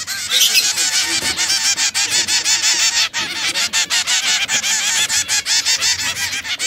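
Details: Red, yellow and brown canaries in a cage, with a loud continuous song of rapid rolling trills that keeps going without a pause.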